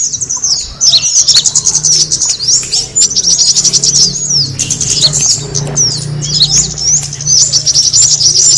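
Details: Lure call of the kemade bird, used for attracting birds: continuous high twittering with fast rising and falling squeaks, loud and crowded, a low droning hum in the background.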